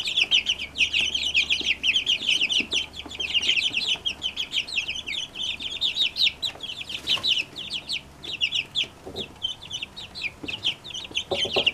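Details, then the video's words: Many Brahma chicks from a single hen peeping at once, a constant busy layer of high, quick, falling cheeps with faint scratching and rustling beneath. "Brahma chicks"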